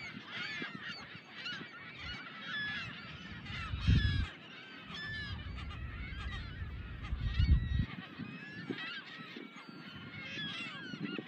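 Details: Thousands of nesting California gulls in a colony on small islands in Adobe Creek, San Francisco Bay, California, give a dense chorus of overlapping harsh, squealing calls, yelps and mews, with a low wind rumble swelling beneath.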